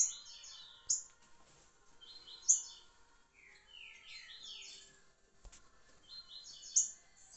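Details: A kept green-winged saltator, recorded 26 July 2023, gives short bursts of bright, high whistled notes that slur downward, about every two seconds, over faint background hiss.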